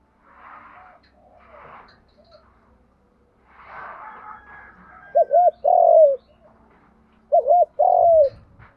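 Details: Spotted dove lure coo, 'giọng đồng gù vấy thúc', for training newly caught and decoy birds: soft rustling and murmurs, then two phrases of a quick doubled note followed by a loud, long arched coo.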